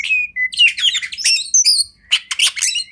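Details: Kacer master song for training, beginning with a clear whistle, then a fast tangle of harsh notes and bright whistles, a brief pause, and another loud chattering burst.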